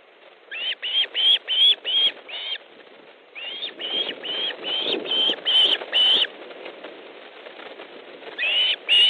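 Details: Osprey at an Estonian nest, 3 August 2014, during fish delivery and another bird's arrival: rapid rising whistled calls repeated in runs, with rustling and wing-flapping noise beneath the middle section.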